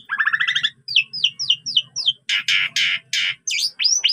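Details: Asian pied starling in full song as a training recording: a buzzy harmonic phrase, a run of five quick downslurred whistles, then four broad harsh rasping bursts and sharp rising notes, with a low hum underneath.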